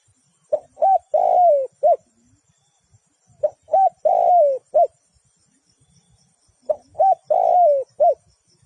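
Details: Caged decoy spotted dove for trapping sings three full coo phrases, each two short rising notes, a long descending coo and a brief closing note, spaced roughly three seconds apart against near silence.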